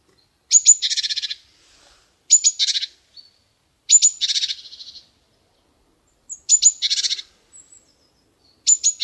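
A chickadee repeats its call about every two seconds: a few thin, high notes followed by a rapid run of buzzy, harsh 'dee' notes, against a quiet background.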